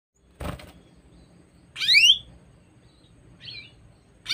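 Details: Female canary chirping: one bright, sweeping descending chirp with stacked upper notes near the middle, a softer short chirp after, a low thump at the start, quiet background.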